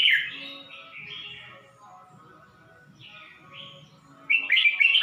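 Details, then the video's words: Red-whiskered bulbul kept in a cage in Ratchaburi, Thailand, singing in May 2020: lilting two-part warbles with gaps between, ending in a sudden loud, rapid, chattering flourish. "นกกรงหัวจุก สวนผึ้ง - ราชบุรี"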